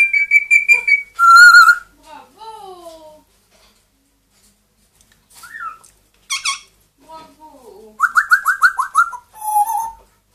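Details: Two pet parrots indoors, a two-year-old grey parrot and a one-year-old Amazon parrot, whistling and mimicking: steady piping notes, a loud whistle, falling slurs, squeaky bursts, and a fast rattled series of short whistled notes.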